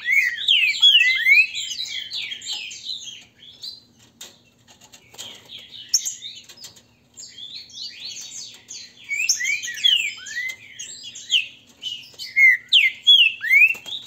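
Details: Green-winged saltators in a Brazilian breeder's grego mole versus boiadeiro singing dispute, meant to provoke song. Fast, overlapping downslurred whistles, a softer lull in the middle, then strong bursts of phrases returning.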